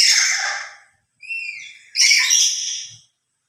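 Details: Loud emotional call of a lory: a harsh fading screech, a brief pause, then a thinner whistled note running straight into another rasping, harmonic-rich cry.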